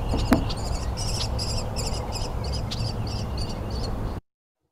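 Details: Northern Flicker chicks waiting for their parents to feed them give insistent begging calls: a rapid series of high, buzzy notes, about three per second, over a steady low rumble of background noise.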